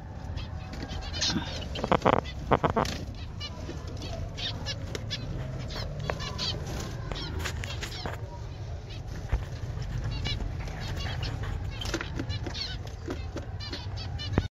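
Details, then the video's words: Zebra finch colony in an aviary: many short, clipped nasal calls overlapping irregularly throughout, with bursts of wing flapping and a steady low rumble of background noise. "zebra finch avairy"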